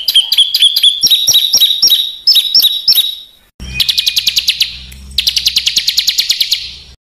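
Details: Small bird's harsh tutor song for house and contest birds: repeated sharp, looping high whistles, then two bursts of dense, rasping rapid trill.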